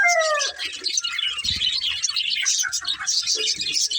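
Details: Breeding pair of budgerigars: a clear, falling whistled note opens, then busy high twittering chatter runs on continuously, with a brief low thump near the middle.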